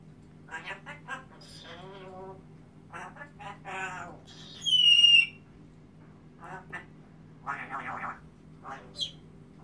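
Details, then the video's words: Timneh African grey parrot singing: a run of chattering, speech-like syllables and short squawks, a loud buzzy rising-falling whistle midway, then more babbling phrases and a brief high squeak. "Timneh African Grey Singing Something"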